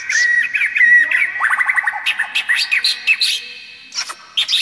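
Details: Murai batu, the white-rumped shama, in loud 'gacor' song with luxurious 'isian mewah' fill for tutoring young birds: fluid whistles, a fast stuttering run of repeated notes, varied mid-high phrases, then a few sharp isolated calls.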